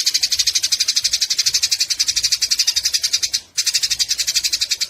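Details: Scratchy, quick-fire chattering from Eurasian tree sparrows during a fight, pulsing steadily and loudly, with a short break after three and a half seconds before the chatter resumes; intended for tutoring songbirds.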